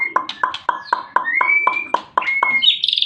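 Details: White-rumped shama, long-tailed, singing a rapid run of about ten short, rich notes at roughly four per second. Several carry smooth rising whistled glides, and the phrase ends in brighter, higher chattering notes.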